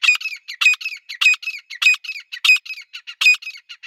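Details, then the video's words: Female grey francolin (Irani teetar) calling, with a male standing alongside: fast, uneven series of harsh squawky notes, about a hundred per minute, with sharp clicky accents recurring every half second or so. "Teetar ki awaz Teetar sound"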